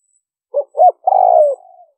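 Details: Single spotted dove coo used to attract wild birds, liêu ròng style: a short low note and a quick hoot, then a long descending coo fading into a faint drawn-out tail.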